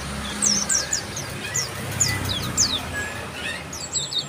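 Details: Bar-winged prinia giving high, thin, downslurred chirps in loose bursts, several notes a second, with some faint rising whistles near the end. A low background rumble is present.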